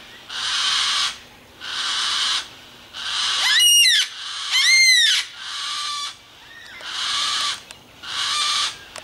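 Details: Flock of wild yellow-tailed black cockatoos met in the bush on Phillip Island: long drawn-out wailing calls, about a second each, repeated every second or so, with a few sharp whistled chirps from smaller birds mixed in.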